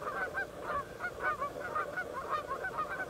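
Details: Two Canada geese fighting while three other geese and two loons move in to separate them; steady run of harsh, overlapping honks, roughly one loud burst each second among many quieter calls.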